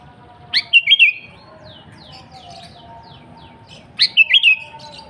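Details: Sooty-headed bulbul in lively song as a rival-calling lure: two gurgling whistled phrases with steep rising starts, separated by a series of soft descending chips.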